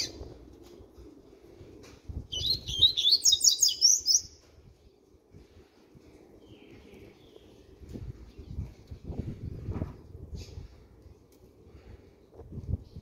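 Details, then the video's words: Young double-collared seedeater, aged six months and beginning its song, gives a two-second burst of fast, high, pulsing twitters. Quiet low knocks and rustles follow. "COLEIRO DE 6 MESES JA SOLTANDO O CANTO"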